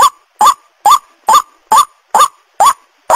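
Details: White-breasted waterhen calling, a recording played to lure birds: regular, loud, nasal croaks rising then wavering, about eight notes in three seconds, spaced evenly, on a clean silent background.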